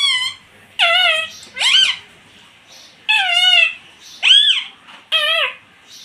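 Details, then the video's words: Pet rose-ringed parakeet indoors in a small room, talking by mimicking the words "mummy" and "papa": six short, harmonic, voice-like phrases, some bending sharply up then down, spaced about a second apart. "मम्मी - पापा बोलने वाला मिट्टू"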